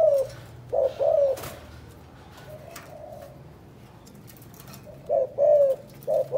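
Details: Spotted dove from Can Tho, Vietnam, giving 'chụp chụp ô' calls: a pair of low coos at the start, a long quiet stretch with faint murmuring, then more paired coos near the end.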